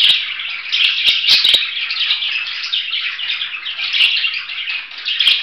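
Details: Budgerigar warbling nonstop in a high, raspy stream of squeaks, chirrups and trills, broken by a few crisp clicks near the start and end.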